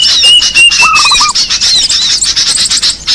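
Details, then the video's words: Lure recording of small birds: crowded high-pitched chattering and squeaks, a thin level whistle early on, then one brief lower pulsed trill of five quick notes. "Suara pikat burung kecil paling ampuh"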